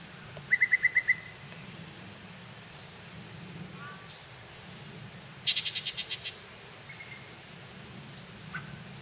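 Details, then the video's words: Spring song of a yellow-breasted chat in a holler, several chats flying after each other: a brisk run of six clipped mid-pitched notes, a pause, a harsher, higher rattling series of about eight notes, then faint scattered notes. "Songs of the Holler: Yellow-breasted Chat"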